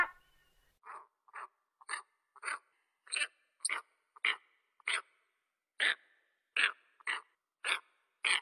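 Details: Eagle producing a string of rough, breathy notes roughly every half second, some with a thin, high whistled edge, steady in pace throughout, with nothing else heard.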